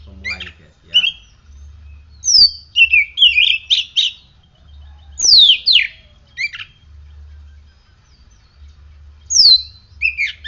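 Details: Caged oriental magpie-robin singing persistently after morning sunning and morning dew care: loud bursts of sharp downslurred whistles and buzzy, rattling phrases, separated by pauses of one to three seconds, in a quiet room with a low hum.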